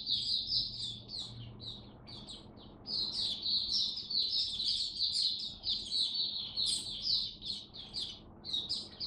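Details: Caged mata puteh, the oriental white-eye, in full 'raja' song: a long, fast, unbroken stream of thin, high chirps and twitters packed tightly together, over a soft hiss of background noise.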